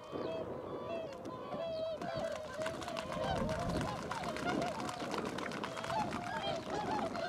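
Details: Cackling geese in flight giving many overlapping nasal honks throughout, a dense flock chorus over steady background noise.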